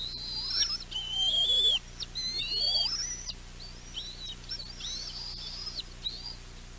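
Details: Young bald eagles at a nest alarm-calling at the sight of their mother bringing a fish, before a tug-of-war over it: loud high whistled, squealing chatters, some rising and falling, repeated in a run over steady background hum.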